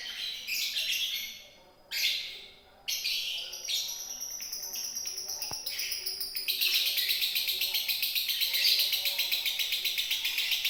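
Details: Indonesian lovebird singing in the konslet style: scattered squeaky chirps at first, then a long, fast, steady chatter of high ticking notes, about four each second, growing louder toward the end.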